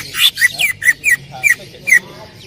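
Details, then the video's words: Greater green leafbird (cucak ijo) singing loudly in 'tembakan' shot style for a training recording. Six emphatic whistled notes, each sharply downslurred with a crackly attack, follow one another about every third of a second. "cucak ijo gacor full tembakan suara keras"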